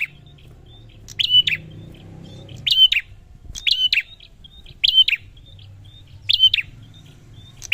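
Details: Prinia repeating a high clicky burst with brief thin whistles between, about five phrases at steady intervals, low background rumble fading midway.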